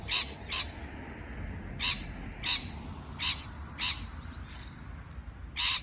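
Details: Parrot chirping: a pair of quick rasping notes, then single harsh calls spaced irregularly, with a faint thin whistle between them and a low hum underneath.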